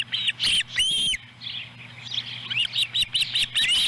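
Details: Ospreys at a Montana nest in July 2017 as a chick tries eating a whole small fish. Two drawn-out whistled notes ring first, followed after a pause by a series of short, sharp chirps, over a low hum.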